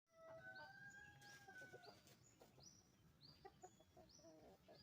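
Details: Roosters and hens on a chicken farm: a drawn-out harmonic crow opens, followed by a rapid series of short, rising, squeaky calls, several each second. Constant low barnyard clatter runs underneath, and a person speaks briefly.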